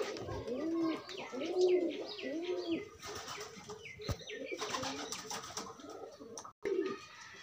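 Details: Low, swelling pigeon coos from birds pairing off in courtship, each curved note about a second long, joined by light chirps, scratchy rustles and a brief gap of silence near the end.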